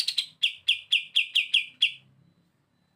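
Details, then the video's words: Olive-winged Bulbul singing actively as a tutor bird: a quick series of sharp, slightly descending chips repeated roughly four per second, then silence before another chip begins. "KAPAS TEMBAK GACOR BURUNG MASTERAN ‼️ SUARA BREN BESET NGETOP"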